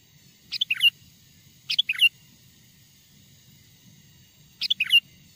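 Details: Wild sooty-headed bulbul song used as a lure for other wild bulbuls: three brisk phrases of bright, falling then rising whistles, the first two close together and the third after a gap.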